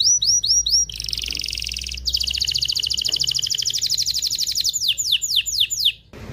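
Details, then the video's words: Strong canary mating song for stimulating hens and cocks: swooping notes, a buzzy rolling trill, a long fast trill gently falling in pitch, then several slower descending sweeps before stopping. "تغريد طائر الكناري هائج , لتجهيز الاناث و الذكور للتزاوج والغناء"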